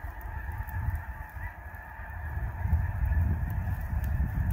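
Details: Thousands of snow geese taking off from and landing on a lake, their wings beating against the water in a deep, continuous roaring rumble that swells louder toward the end.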